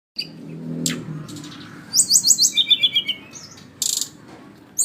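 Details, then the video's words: Flycatcher, known locally as sikatan rimba, singing: a few sharp high chirps, then a rapid run of about ten bright notes that steps down in pitch, followed by a short burst of high buzzy notes near the end. "burung sikatan rimba"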